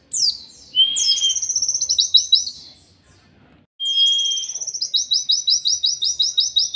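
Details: Song of an oriental white-eye in the 'killer endok tato' style, kept as songbird training material: two bouts, each a high descending slur and a steady whistle leading into a quick series of repeated sharp chips, the second bout longer.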